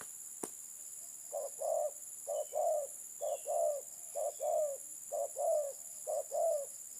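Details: Spotted dove cooing: four low, soft phrases, each a short note followed by a longer rolling coo, spaced about a second apart, over a steady high-pitched background hiss and one sharp click near the start.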